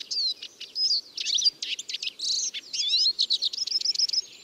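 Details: A Eurasian siskin gives a fast chattering twitter of chirps and slurred notes, ending in a run of evenly repeated high chips.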